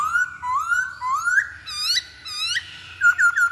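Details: Masked laughingthrush song played as a lure to provoke other birds to sing: clear whistled notes slurring upward, repeated in short phrases, ending in quick rising chirps, in a quiet indoor setting.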